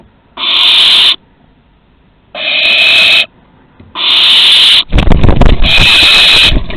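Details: Barn owls at Théding, 2 September 2020, around a first flight from the nest and the return; harsh, breathy hissing screeches, each about a second long, repeated every second or so, with rustling and knocking toward the end.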